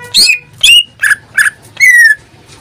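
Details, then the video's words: Caged pet greater green leafbird in full song: five loud bursts, harsh buzzy squawks sliding into whistled notes, the last a long falling whistle, over a faint low hum. "Suara cucak ijo suaranya tidak diragukan lagi"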